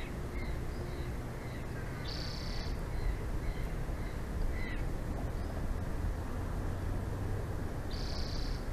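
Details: Bald eagle pair at their nest in Big Bear Valley, filmed by a live nest camera on 06/02/2024 at 14:32: scattered short thin chirps and two brief high whistled notes, one early and one late, over a constant low rumble.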